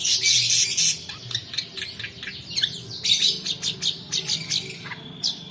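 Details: A long-tailed shrike's roll song, used as a lure and for tutoring other birds: an opening burst of dense, harsh chatter, then quick chirps and scratchy notes, with another loud chattering burst midway.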